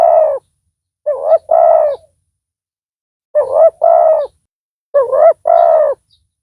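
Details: A loud-voiced decoy spotted dove calls to lure wild doves for trapping; an opening coo, then three two-note phrases at uneven intervals, a short rising-falling note and a longer even coo, in clean silence.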